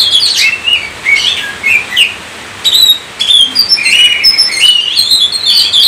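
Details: Kacer, or Oriental magpie-robin, giving lively gacor song to trigger other kacer: slurred whistles and short twittering phrases, briefly pausing, then a faster run of high sweeping notes.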